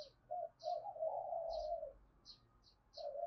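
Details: Spotted dove calls meant to lure wild doves: a run of low husky coos, long and merging, over a humming background, with short high chirps from other small birds scattered throughout.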